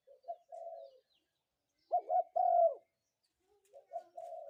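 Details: Spotted dove calling in the morning: low mellow cooing phrases, with a louder double coo and a drawn-out note in the middle, then softer coos again.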